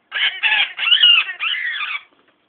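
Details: A female pet Orange-winged Amazon screams in protest at being offered sweet potato she dislikes, smacking at it with her wing: a harsh, raspy, loud, high two-second scream broken into four grating bursts.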